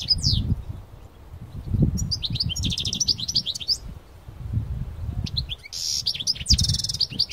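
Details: European goldfinch, parva type, singing powerfully outdoors in nature. Scattered high chirps build into a jangling twittered phrase, then a buzzy, nasal trill near the end. Steady low wind rumble throughout.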